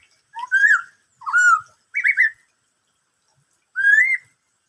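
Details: Black-throated laughingthrush singing in the 'bắt cô trói cột' style: four clear whistled phrases, each rising or slurring, spaced about a second apart with silence between, no other sounds.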